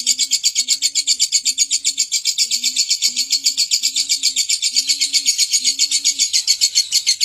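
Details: Lovebird giving a long, unbroken ngekek chatter: harsh, high, rasping pulses repeated about four times a second without pause, over soft low dove-like coos in the background.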